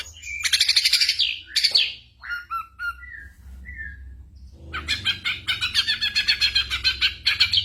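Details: Ashy drongo song filled with copied bird sounds and gunshots, used for training songbirds. Harsh buzzy notes, a few soft falling whistles, then a long rapid series of loud sharp chattering chips.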